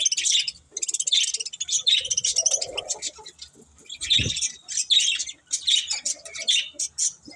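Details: Budgerigars twitter in repeated high chirps roughly once a second, mixed with softer warbling and an occasional low knock.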